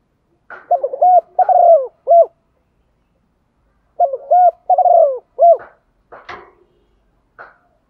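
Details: Spotted dove decoy bird calling in the morning: two phrases of mellow coos near 700, each a short rising note, a rolling tremulous coo, then a longer falling coo and a final clipped note, followed by faint clicks.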